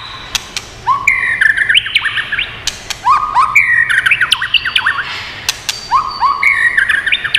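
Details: White-rumped shama song used to stimulate and train birds. A clear rising whistled phrase, then quick slurred notes, repeated three times about every two and a half seconds, with sharp clicks between phrases.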